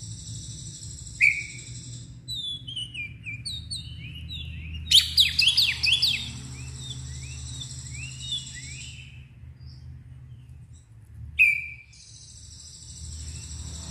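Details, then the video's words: Oriental magpie-robin singing in loud, open ngeplong style while agitated and spreading its tail: scattered sweet whistles and a burst of rapid chattering, sweeping notes midway, with a steady low hum underneath. "KACER gacor NGEPLONG emosi DAN BUKA EKOR"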